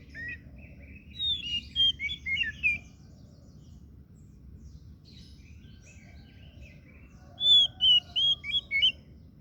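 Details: Kacer daput, the oriental magpie-robin, sings two bursts of rapid warbling: tumbling whistled and buzzy notes strung together, separated by a quiet pause, over soft low background noise.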